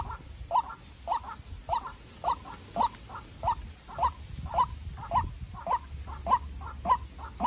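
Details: A young decoy White-breasted waterhen is locked in a calling duel with a wild waterhen. A long, even run of sharp double croaks comes about twice a second over faint low noise.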